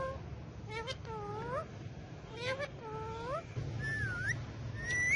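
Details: Talking pet parrots, four of them, dancing on a bike. Paired nasal upswept calls come in short groups, then a wavering call and a final rising whistle, all over a low steady background rumble.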